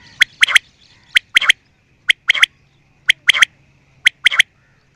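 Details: Quail repeating its clipped three-note call five times, roughly once a second: a single sharp pip followed by a rapid double note, over a quiet background.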